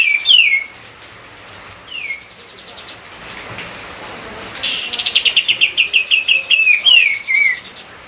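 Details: White-eye training song for other songbirds: a few short slurred chirps, then a high burst followed by a rapid descending series of sharp repeated notes, over a steady rain-like hiss.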